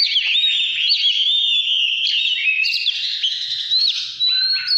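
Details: Oriental magpie-robin song of the 'căn lửa' style, from 2017: sustained bright whistled phrases that run almost without pause, mixing clear pure notes, quick upward slurs and lower rasping fragments.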